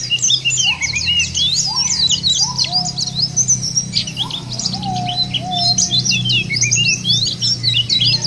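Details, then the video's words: Busy white-eye song meant to coax caged white-eyes into singing: dense bursts of high, sharp chirps, separated by lower sliding whistles, all over a steady low hum. "jangankan pleci burung lain aja pada gacor"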